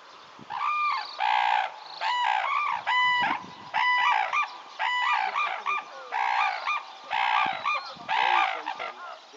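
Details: Several red-crowned cranes at Tsurui, Hokkaido, Japan, give loud, resonant, bugling trumpet notes in repeated bursts about a second apart, the calls of different birds interleaving, with soft low thumps between phrases.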